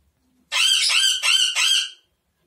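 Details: Blue-fronted amazon uttering three harsh, nasal squawks in quick succession, each about half a second long, with a fourth trailing call fading out; quiet background.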